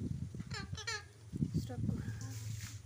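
An Alexandrine parakeet gives a brief, speech-like utterance of two or three nasal, wavering syllables over low murmuring voices and background rumble.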